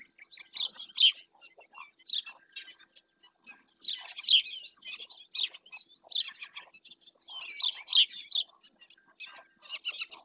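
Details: Black-winged stilt at Doñana National Park, Spain, caught by a nature webcam: sharp, high yelping notes in loose bursts, with a loud cluster near one second and more around four and eight seconds, separated by short quiet gaps.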